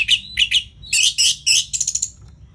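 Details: Short burst of Orange-headed thrush ngeplong song: a few bright whistled notes, then harsh, loud, buzzy blasts and a quick run of rattling high chips.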